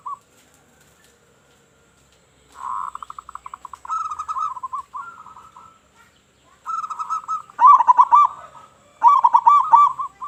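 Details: Local zebra dove with a loud voice, its call used as a lure for other zebra doves: a rapid series of low pulsed notes opening into rolling, warbled cooing phrases near the same pitch, repeated in bursts with short silences between.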